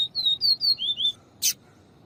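A Double-collared Seedeater gives a quick run of high, clear slurred whistles, then one short buzzy burst after a brief pause.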